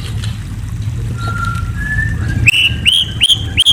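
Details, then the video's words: White-rumped shama at night giving a faint thin whistle, then four loud rising whistled chirps in quick succession, each sweeping upward and ending sharply, over a constant low rumbling hum. "Murai Bird Serenade: A Night of Enchanting Chirps"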